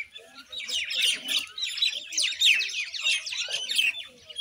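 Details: Common Indian myna in steady, noisy chatter: overlapping harsh squawks, clicks and squeaky whistles with no real pause, plus faint low murmuring notes underneath.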